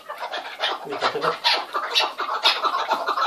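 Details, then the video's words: Chukar partridges in a loud calling chorus, known in Turkish as keklik hengamesi: dense, overlapping harsh cackling notes repeated rapidly with no pause, several birds at once. "Keklik Sesi Muhteşem (Keklik Hengamesi)"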